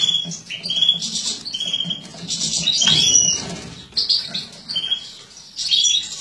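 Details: Captive mutated European goldfinch female feeding, 2017: rapid high twittering broken by short level whistled notes repeated roughly every second, with soft rustling beneath.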